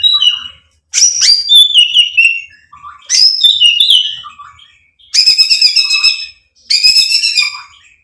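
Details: White-rumped shama song used as a lure to provoke other birds to sing: loud bursts of high whistled and buzzy rattling phrases, each a second or two long, separated by short pauses.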